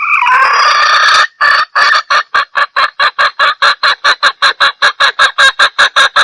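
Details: Lure call of a hen red junglefowl aimed at males: a harsh, drawn-out opening squawk, then rapid evenly spaced clucks repeated about two and a half times a second to the end.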